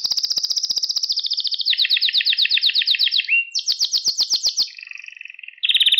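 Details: Canary song for training young pet canaries: long fast high trills shifting pitch in stages, a short whistled note, then a slower lower rolling phrase.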